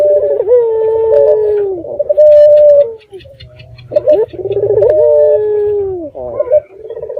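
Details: Local red-eyed dove used as a night lure to get other doves calling back: repeated throaty coos, each a sustained note sliding down, in two phrases split by a short quiet gap.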